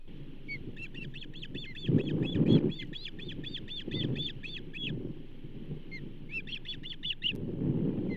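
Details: Osprey calling at the Charlo nest on 15 June 2024 around a bull trout delivery, steady high repeated chirps over loud low rumbling and buffeting noise, the calls stopping and resuming near the end.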